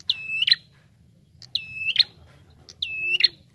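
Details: Lure recording of a Bar-winged prinia, used to attract birds: three shrill calls, each a flat, level whistle closing with a sudden buzzy, crackling burst, spaced roughly 1.3 seconds apart over a soft low hum.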